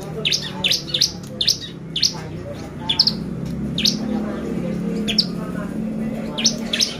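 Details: Bar-winged prinia lure song for exciting birds: scattered sharp, high, downslurred chip notes at irregular intervals over a murmuring low background.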